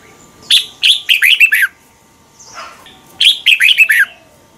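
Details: {'caption': 'Thailand Red-whiskered bulbul song for birds to copy: two lively phrases of six quick, falling whistles, nearly identical, spaced about three seconds apart with a soft rustle between.'}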